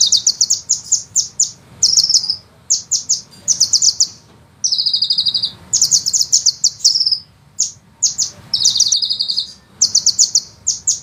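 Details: ["Continuous sunbird singing from a master recording for songbird training, with fast, dense rolling trills and long 'nembak' shots. Shrill chirp clusters alternate with buzzy sustained trills, barely pausing throughout."]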